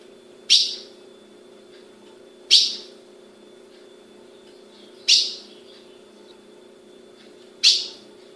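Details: Captive female ultramarine grosbeak from a registered breeder in Brazil, calling: four sharp, bright chip notes, each a quick downward snap trailing off, spaced about two to two and a half seconds apart, over a steady low hum.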